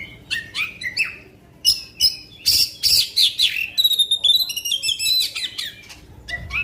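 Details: Black-winged magpie-robin singing long bursts meant to stir up other birds: rapid varied phrases of sharp whistles, slurred notes and high rattling trills, growing denser toward the end, with faint low background rumble.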